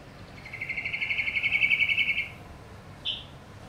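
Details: Female red-whiskered bulbul kept as a pet, which wakes around 3am to chirp and eat, often with eyelids closed; a gentle high pulsed trill of rapid hiccup-like chirps lasting about two seconds, then one short separate note.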